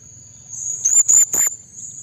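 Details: Blue-crowned hanging parrot calling out to rival birds, used as a trapping lure: three quick piercing high-pitched notes in close succession, set against a constant thin high whine and a low background hum.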